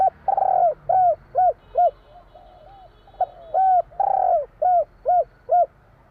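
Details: Javanese spotted dove singing in the 'kuk 3' style: two full phrases, each a long slurred coo followed by three or four short, arched, hollow notes in quick succession, with a short pause between phrases.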